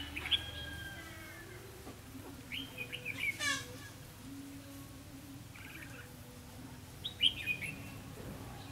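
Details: Red-whiskered bulbul used as a decoy, singing competitively to lure wild birds into a trap, recorded 4 November 2016 in Vietnam; short bright warbled phrases around 0.3, 2.5–3.5 and 7.2 seconds over steady low background hum.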